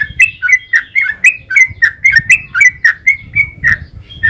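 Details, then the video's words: Long rolling 'ropel' song of a sooty-headed bulbul, played to draw other bulbuls to reply: rapid chattering series of short warbled notes rising and falling, roughly one per quarter second, with low rumbling background noise. "Suara trucukan gacor ropel panjang"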